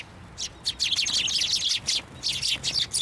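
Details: Chattering sparrows flocking to a narrow post at a shrine for food, January 2024, giving a fast, overlapping run of sharp high chirps and twitters almost without pause.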